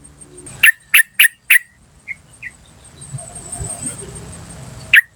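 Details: Wild yellow-vented bulbul calling, recorded as a lure: four quick sharp chips in a row, a couple of faint notes, then a steady high hiss with low rumbling before one last chip.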